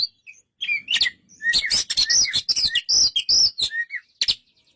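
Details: A white-rumped shama delivers a dense, rapid song of whistles, chips and scratchy notes, about two notes each second, with a final rising whistle.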